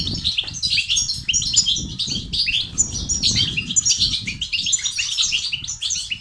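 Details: Goldfinch singing 'tibtiba' and 'sitsat' phrases meant to rouse silent males into song: a continuous bright twitter of quick chirps and trills, steady throughout, with low fluttering noise underneath.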